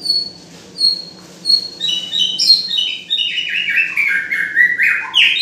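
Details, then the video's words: A White-rumped shama sings clear, high whistled notes, then a rich tumbling run of varied, slurred phrases that fall in pitch, over a faint low hum. "Suara burung murai ~Indah"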